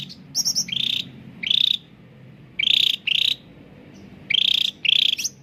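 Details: Cucak ranting (bulbul) in full clear song as a lure for caged birds that will not sing: high twittering notes followed by buzzy trills, delivered in paired bursts with short pauses.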